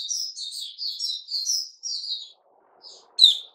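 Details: Male sooty-headed bulbul from 10 July 2021 giving a quieter stream of sweet, rippling notes for about two seconds, then a pause and one sharp loud note.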